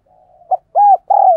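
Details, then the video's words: Spotted dove giving a hurried cooing sequence used to train decoy birds and lure wild doves: a soft low purr, then a short note, an arched coo and a long falling coo, all low-pitched and clean. "Tiếng Chim Cu Gáy Thúc Gù Dùng Tập Mồi, Bổi Nghe Xiêng Gáy"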